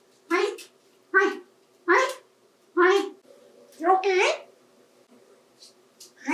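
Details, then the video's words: A 28-year-old adopted African Grey parrot talks to toys in a bathtub in short, clipped human-like words like "Hi," about one per second, slightly buzzy and nasal, in a quiet room. "Murphy Bird Talks to Toys"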